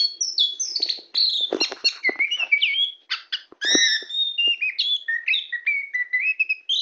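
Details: A very tame white-rumped shama sings on a hand, pouring out a long, continuous stream of rich, varied whistles, chips and slurred notes that rise and fall without pause.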